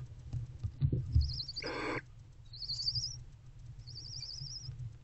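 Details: Barn owl mother and owlet bonding inside a nest box on 20 February 2024, 4:41–4:46 am; one rough hissing burst followed by high, thin, wavering twittering notes, over low rustling and box noises.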